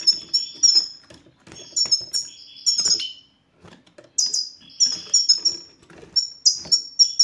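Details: Goldfinch sititah (bitbitah) song used to get silent males singing: dense high twittering and sharp down-slurred notes for about three seconds, a short silence, then renewed bright chirping phrases; soft hum in the background.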